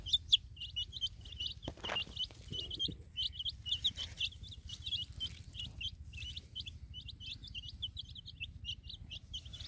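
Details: Colored chicks in a field beside a hen, giving a steady stream of high-pitched, quick, downward-slurred peeps from many birds, with low rumbling noise behind.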